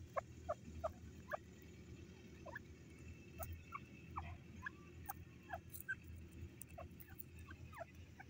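A francolin gives short, sharp chipping notes, several per second in uneven bursts, over a steady low rumbling hum.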